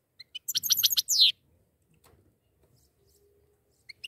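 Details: Goldfinch, one of a pair, gives a short burst of high, scratchy twittering notes, then near silence with a faint hum and a couple of isolated chirps at the end.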